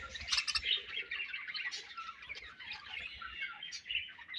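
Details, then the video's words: Budgies in a colony give a steady run of squeaky chirps and chatter, high and continuous, over a quiet background. "Budgies Colony Chirping Sounds"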